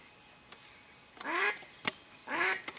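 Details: Mallard hen kept to lure wild ducks during a duck hunt, giving two loud, harsh, nasal quacks about a second apart, with sharp clicks between them.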